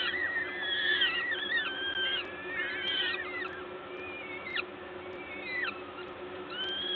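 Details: Feeding time at a peregrine falcon nest, Gdańsk, Poland, 14 May 2022, 11:07: a dense burst of wheezy whining calls at first, thinning to sparse sharp downward squeaks, low hum throughout.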